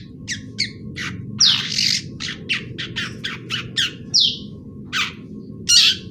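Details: Fledgling long-tailed shrike learning to sing, delivering a fast series of brief raspy notes and occasional louder squawks, irregularly spaced through the passage, with a low background hum.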